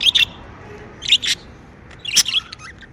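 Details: Happy pet budgerigars chirping: three bursts of bright, sharp chirps about a second apart, each a quick cluster of high twittering notes over a quiet background.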